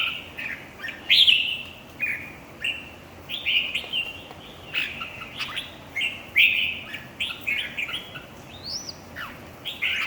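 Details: Red-whiskered bulbul singing in a song competition: loud, varied whistled and warbled phrases, each under a second, with sharp upslurred and downslurred notes, repeated with short pauses over ten seconds.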